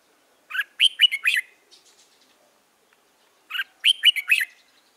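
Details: Red-whiskered bulbul, a young white-cheeked bird early in the season, recorded 13 March 2017. Two separate bursts of four or five loud, clear whistled notes, each bending sharply, about three seconds apart, with quiet in between.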